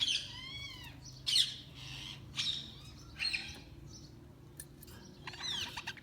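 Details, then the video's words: Budgerigars chirping in short squawky bursts of arched, harmonic-rich warbled notes, each burst about half a second long and spaced roughly a second apart, over a faint low background hum. "Budgies Chirping sound"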